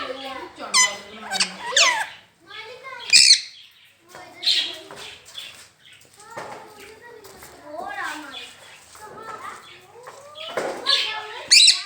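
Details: Pet ringneck parrot talking, repeating the phrase "Mian Mitthu Chori Khani Ha"; speech-like syllables in short bursts with sharp high squeaky accents, pauses between phrases, indoors.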